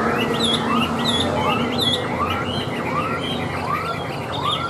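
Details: Tame Chinese hwamei in a cage on a table: clear rising whistled sweeps about every 0.8 seconds, with fainter high chirps between them and a steady low hum behind.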